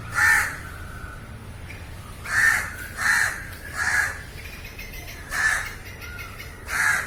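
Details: Crows cawing in a live recording: a series of six coarse caws, one early and then a quick uneven run of five, with a soft steady background hiss.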